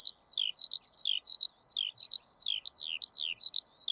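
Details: Eurasian skylark (Alauda arvensis), song.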